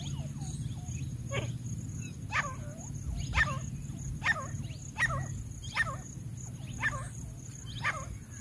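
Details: A tame grey francolin calling to lure wild francolins gives loud, sharp, rising-and-falling notes, repeated about once a second, over a steady low rumble and a faint high whine.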